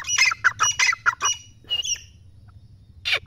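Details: Excited partridge delivering a fast burst of rough, squawky notes, then falling quiet before one final harsh note.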